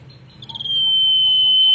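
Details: Common iora (cipoh, sirtu, sirdung), a bird of bushes and scrub, singing actively: a few faint notes lead into a long, pure, perfectly level whistle held for over a second and growing steadily louder.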